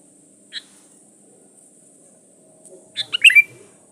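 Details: Sooty-headed bulbul song used as a lure to draw other birds. One short bright note, a pause, then a quick bubbling burst of four or five liquid notes ending in a slurred whistle. The background is quiet with faint low hum.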